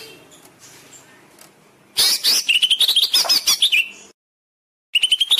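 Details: Greater green leafbird master song for training caged birds: after a quiet start, a loud two-second burst of busy, rising chattering notes, a silent gap, then another quick trill.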